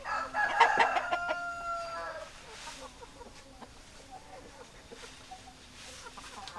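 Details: Rooster crowing: a loud, harmonically rich crow lasting about two seconds with choppy clucking notes mixed in, fading into quieter, sparse clucks and faint background noise.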